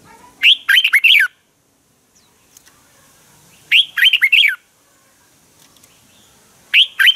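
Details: Red-whiskered bulbul fighting song used for training birds, sung in the morning: a loud phrase of four to five quick warbled notes repeated about every three seconds, three times, with quiet gaps.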